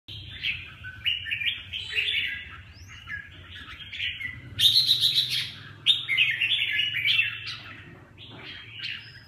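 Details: Red-whiskered bulbul singing bright, warbled phrases that rise and fall, with short pauses between bursts and a faint low hum underneath.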